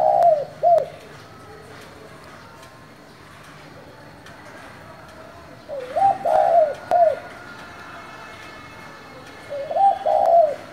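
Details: Repeated low coos from a spotted dove with a 'giọng thổ' voice, calling to rouse newly caught doves. Each phrase is a mellow rising warble with a clipped closing note, spaced about four to five seconds apart in a quiet setting.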